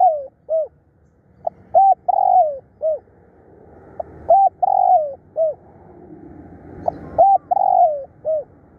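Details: Fierce, persistent spotted dove decoy cooing: repeated three-part phrases of a short coo, a long sliding coo and a clipped end note, following each other rapidly, clear and loud.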